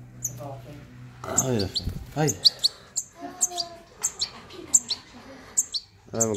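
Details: A pet baby European goldfinch gives sharp, high chirps repeated roughly every half second, over clear French speech from a person nearby.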